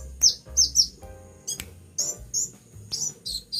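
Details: Shrill, high chirps in pairs and triplets from a pet sunbird said to be singing vigorously during its moult, set against a quiet low drone.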